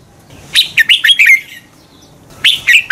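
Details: Red-whiskered bulbul singing to spur rival birds into competitive song: a rapid run of five liquid whistled notes rising and falling, followed after a pause by the start of another phrase.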